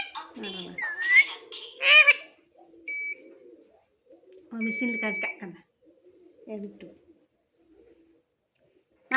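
A parrot utters a few raspy, speech-like words early on, followed by two steady, high beeping whistles and some quieter muttering.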